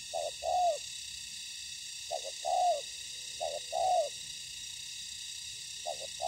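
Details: Spotted dove in ground-decoy trapping; widely spaced phrases of a short double coo then a long smooth falling coo, separated by pauses of about a second, over faint continuous hiss.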